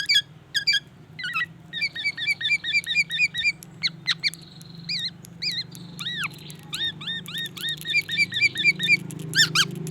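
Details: Black-naped oriole singing steadily, including white-rumped shama imitations: rapid pairs of short slurred whistles, some longer looping notes midway, and a low background hum throughout.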